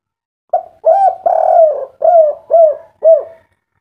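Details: Spotted dove calling in the local 'kuk 3' style, meant to spur caged birds into song: a short soft note, then a longer drawn coo and four further mellow down-slurred coos at a steady pace.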